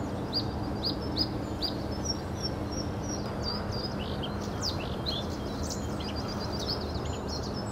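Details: Song of a Bluethroat recorded in March 2012 at the Hobokense polder: repeated high clicking notes mixed with fast, varied twittering and whistled figures, fairly faint above constant low rumbling noise.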